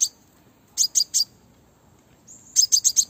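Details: Female crimson sunbird calling to lure and excite males, as used in bird trapping. Two bursts of three to five sharp, high, buzzy chirps with a short thin whistle before the second burst, over a quiet background with little other noise.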